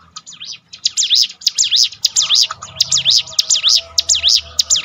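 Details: Bar-winged prinia song meant to train a bird's mental toughness: a steady string of bright, high, swooping notes, roughly two per second, over a faint low hum.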